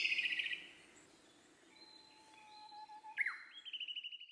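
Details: Male Siberian blue robin: a fast, buzzy trill opens the phrase, then come thin, level whistles. A sharp note leads into another rapid rattling trill.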